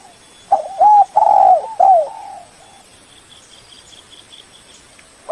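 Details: Spotted dove calling a rival, recorded as a lure: a run of hooked coos and one long loud coo, trailing into softer, fading coos, then quiet with faint high insect-like ticking in the background.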